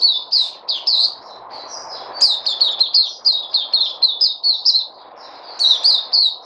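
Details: White-eye (Puteh) in captivity, 03/08/2020, singing a fast, high, chattering song of quick slurred chirps strung together, with a brief lull before the twittering resumes; soft background hum.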